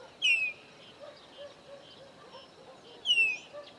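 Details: Chopi blackbirds, three visiting a farm in the sertão of Bahia, Caatinga biome: two clear, sweeping down-slurred whistles about three seconds apart, with soft low chatter from other birds between.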